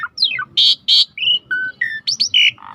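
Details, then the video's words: Short phrase from a rare starling over a river backdrop, recorded for tutoring: a quick descending chain of notes, two loud buzzy blasts, steady whistled tones at different pitches, then upswept chirps ending in a lower rasp. "Jalak Langka Masteran Alam Sungai | Deep Nature River Sound for Starling"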